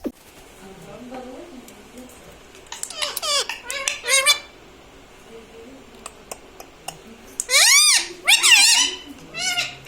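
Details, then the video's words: Home-kept talking parrot repeating learned words such as "mummy", "papa" and "radhe radhe"; quiet murmur and light clatter, then bursts of squeaky, pitch-sliding mimicked syllables, loudest near the end. "parrots talking papa"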